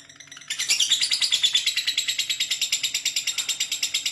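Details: Lovebird giving a long ngekek (ngekek panjang) chatter: after half a second of quiet, a fast, even run of high, harsh notes starts and repeats about three times a second without pause to the end.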